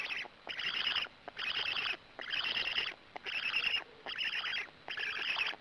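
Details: At a black stork nest in Gemenc, Hungary, at 20:04 on 13 May 2017, a stork arrives and then feeds, giving six harsh, wheezy, high-pitched calls, each under a second long, about once a second.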